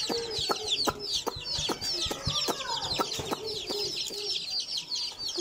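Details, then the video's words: Baby chicks playing, their many high, falling peeps running together in an unbroken chorus, with regular sharp knocks in the background. "Baby chicks playing l baby chicken sounds"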